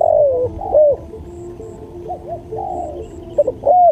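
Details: Spotted dove song on a training track: a long sliding coo, then soft quieter coo notes and a final arched coo, with a steady low hum and faint high chirps behind.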